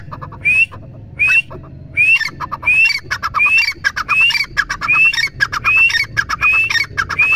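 A grey francolin gives a loud, harsh, ringing call repeated over and over, about once every second, with a rising squeaky note in each phrase.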